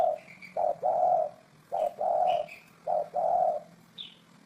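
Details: Low, soft cooing of a spotted dove, recorded in 2018: three phrases, each a brief coo leading into a longer rolling one, with thin high chirps from other small birds in the background.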